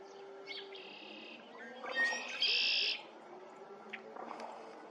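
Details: Red-winged Blackbird at Lake Afton, 20 February 2023, giving clipped introductory notes, then a harsh, buzzy, trilled phrase, heard twice in a few seconds over a faint background hiss.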